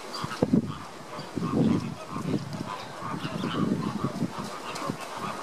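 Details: Caribbean (American) flamingos in August 2014 give low, goose-like honks and grunting gabbles, many birds overlapping in a steady chatter with short louder honks every second or so.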